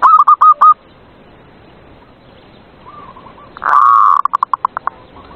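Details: Zebra dove song at night to stimulate quiet doves: a few fast hooked coos, faint cooing in the background, then a long loud rolling note breaking into a string of short staccato notes.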